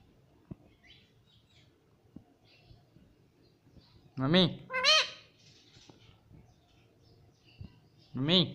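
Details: Pet parrot repeating mummy in a human-like voice; after a quiet stretch with soft clicks, two quick harmonic words arrive together, the second higher and more nasal, and another word follows near the end.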